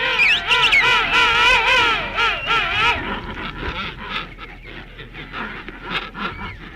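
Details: King penguin rookery, 21 December 1961, archival recording: a loud, rich trumpeting display call with rapid wavering pitch lasting about three seconds, then fainter grunting calls of penguins protesting at neighbours and the whistling of chicks.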